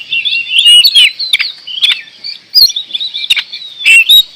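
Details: Oriental magpie-robin (kacer) singing vigorously: a busy stream of varied whistled and scratchy high phrases, rapid twitters and sharp click-like notes, with brief loud bursts between quieter passages.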